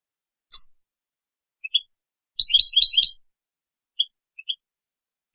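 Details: European goldfinch song: scattered high chirps and short twittered notes, with a brief burst of rapid twittering around the middle, separated by silences.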